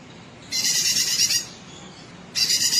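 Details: Sooty-headed bulbul song for training competition birds: a harsh, finely pulsed buzzy burst of nearly a second, a short pause, then the start of another rasping burst.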